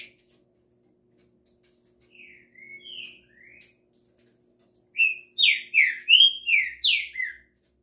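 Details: Green-winged saltator song in a small room with a faint low hum: soft whistled notes first, then a loud run of about seven rich, slurred whistles, each dropping in pitch.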